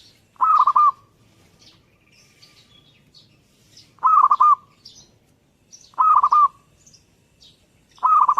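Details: Singing perkutut (zebra dove): four mellow, broken cooing phrases, each a short burst of several quick notes, repeated every one and a half to two seconds, with scattered thin chirps of other birds.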